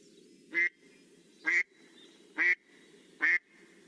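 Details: American Black Duck, a Newfoundland bird, giving four loud, rough, nasal quacks about one second apart, each the same in pitch and length, over a low background hum.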